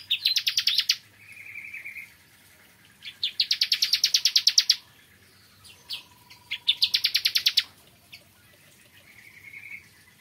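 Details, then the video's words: Bar-winged prinia in the morning delivering three bursts of dense, buzzy rapid-fire notes, each under two seconds, separated by brief soft chirps and quiet gaps. "Kicauan Ciblek Kristal Dipagi Hari"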